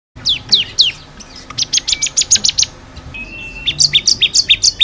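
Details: Bar-winged prinia song made as a training recording for caged birds: descending high slurs, then a quick series of sharp repeated chips, then a steady whistle joined by a rhythmic two-pitch sequence.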